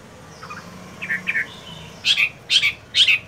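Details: Caged Chinese hwamei in moult, still practising its voice in the morning: a few soft slurred notes, then three loud, harsh, rich bursts about half a second apart. Faint low hum underneath.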